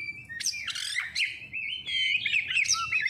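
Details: Oriental magpie-robin lure song for prompting birds to sing: dense, continuous warbling of bright whistles, scratchy notes and rapid slurred phrases with hardly a pause, over a faint low hum.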